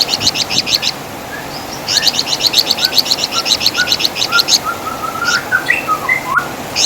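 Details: Wergan Jawa, the flamboyan bird, recorded as master song for songbird training; fast shrill chattering runs, followed by scattered soft whistled slurs and short rising notes from another bird.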